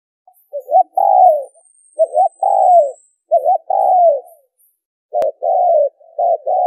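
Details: Spotted dove calling as a lure for trapping birds: coo phrases of a short stuttered note then a longer falling coo, repeated about every 1.5 seconds, with a faint high whistle and a sharp click near the end.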